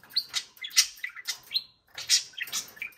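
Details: Pet budgerigars, full of energy on a Friday morning, bounce about while giving bursts of sharp, bright chirps and squeaky warbled notes, several per second, with a short pause before a second rush of chatter.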